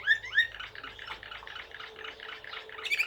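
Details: Serbian blue canary of the Slavujar style: two sharp upslurred whistles, then a soft rapid series of repeated notes and a final high pair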